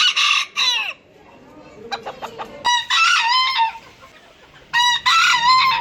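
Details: Rooster crows in quick succession, harsh bursts with downward-curving endings, broken by a few short clucks and clicks between calls.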